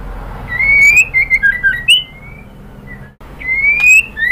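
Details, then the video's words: Female white-rumped shama calling the male: a long rising whistle followed by a run of short slurred, dipping notes, a pause with faint background hum, then another drawn rising whistle begins. "SUARA MURAI BATU BETINA memanggil JANTAN"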